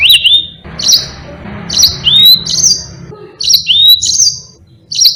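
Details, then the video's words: Energetic song of a yellow-fronted canary kept for tutoring other cage birds: repeated sweet whistled upslurs and flat high notes in short bursts separated by brief silences, faint background hum. "Burung Mozambique GACOR NGEROL PANJANG"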